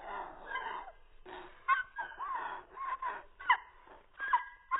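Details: Strange cockatiel vocalising: wavering, moaning notes give way to a pause, then several bursts of bent, squeaky whistled tones with clear overtones, sounding muffled as if indoors.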